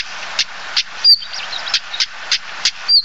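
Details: Common Stonechat (Saxicola torquatus): two short, high, falling whistle notes separated by hard clicks repeated roughly three times a second, over steady hiss.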